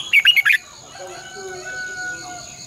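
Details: Red-whiskered bulbul used as a decoy to train caged birds: one quick phrase of four bright, warbled notes, followed by fainter drawn-out tones and a steady high hum.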